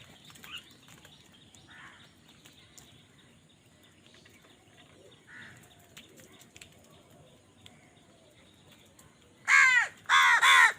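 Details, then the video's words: Crows fighting over food: after long quiet stretches with faint distant bird chirps, two loud, raspy, harsh caws burst out close together near the end, each roughly half a second long. "কাকের ডাক Crow Sound Crow ki Awaz Loudly | Crow bird Fight for Food"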